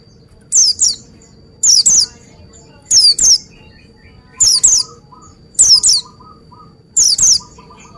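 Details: Pleci (Oriental white-eye) giving six evenly spaced phrases, each a quick pair of very high, thin, downslurred whistles, repeated roughly every 1.2 seconds, with faint soft lower notes between phrases.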